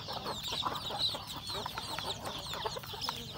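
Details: Home chickens eating breakfast, roosters and hens together; a mix of high peeping notes and short lower clucks overlapping continuously in a busy flock.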